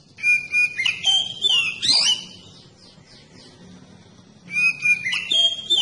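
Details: Oriental magpie-robin song meant to make other magpie-robins sing: bursts of rich, varied whistled phrases with quick sweeps, a soft pause, then another burst of whistles.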